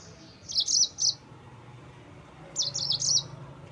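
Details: Yellow-fronted canary singing to provoke rival birds: two short bursts of high, buzzy, rapidly chirped notes about two seconds apart, against a quiet low hum.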